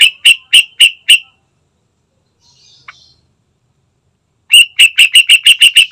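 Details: Yellow-vented bulbul lure recording meant to prompt a bird into singing quickly: loud, sharp, bright chirped notes in two rapid bursts, four evenly spaced notes, a pause with a faint twitter, then a faster run of about nine notes.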